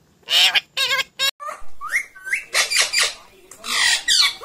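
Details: Pet parrot talking, saying "mummy" and "papa": a string of squawky, strongly harmonic speech-like syllables in short bursts, a few with quick rising whistled slides, high-pitched throughout.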